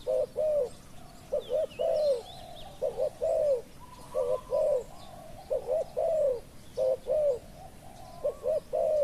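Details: Spotted doves cooing as a wild bird is lured with a decoy: mellow low coos in groups of two or three, the last note drawn out and arched, repeated steadily, with faint high bird whistles and a soft hum.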